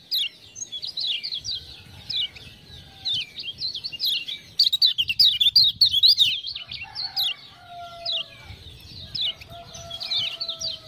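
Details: Lemon-bellied white-eye (kecial kuning), a Lombok tutor bird kept captive, sings after ciak-ciak prompting. It gives rapid, high, zigzag chirps about four per second, peaking in a loud burst midway. Lower drawn-out whistles come from other birds.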